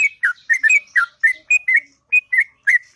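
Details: Sooty-headed bulbul singing in the morning, a choppy series of bright, slurred whistles, each note bending down and up, spaced by brief silences.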